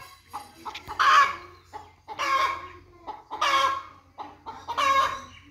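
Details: A hen repeats coarse, raspy squawks about every one and a quarter seconds, each preceded by short soft clucks, over a steady low hum in the background.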